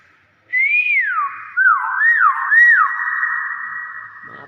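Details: Common hill myna performing a long whistled phrase: a rising-falling slur, then three short downward-hooked notes in quick succession, ending in a sustained tone that fades into the room.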